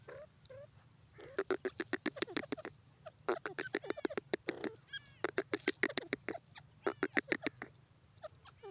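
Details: Grey francolin, known locally as jungli teetar, calling in loud harsh bursts of rapid repeated notes, about three to four per second, in runs of several seconds separated by short pauses, with a few softer call notes between.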